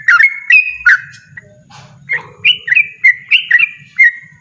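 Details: Yellow-vented bulbul giving loud 'ropel ngotot' notes, a few bright slurred chirps, a short gap, then a faster cluster of ringing notes, over a low rumbling background.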